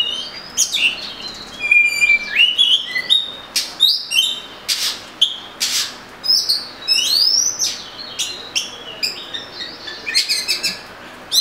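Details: Oriental magpie-robin singing continuously: rich mixture of whistles, trills, upward sweeps and scratchy notes, changing phrase after phrase throughout.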